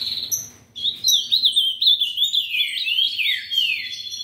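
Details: Breeder-kept ultramarine grosbeak delivers a loud warbled song of looping whistled notes that wander up and down, ending in falling slurs, while faint high chirps sound in the background.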